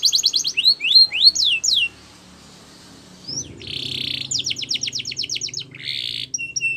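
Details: Canary training song: fast slurred note bursts, a pause, then a buzzy tour, rapid repeated clicks and a short harsh buzz, with faint background noise.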